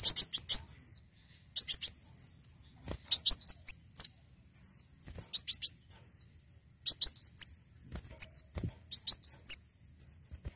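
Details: Javan sunbird singing vigorously, recorded to tutor and lure other birds: clusters of rapid high chips, each followed by one or two falling whistled notes, repeated in regular phrases over a quiet background.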